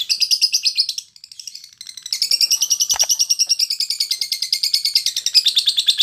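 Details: Lovebird song used as training audio for competition fighter-class birds: loud, fast chattering trill of high, rapidly repeated notes, briefly interrupted around the one-second mark, then resuming steadily; a single low thump is heard midway.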